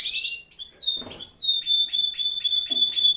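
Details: Canaries in an aviary at the height of the breeding season. Bright, high whistled notes open the song, then a fast, even trill of short repeated notes follows on one steady pitch. A brief rustling burst is heard near the one-second mark.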